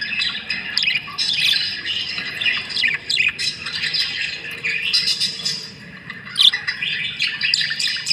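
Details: Budgerigars feeding together, giving a busy stream of squeaky chirps and warbles with a few louder squawks and short lulls.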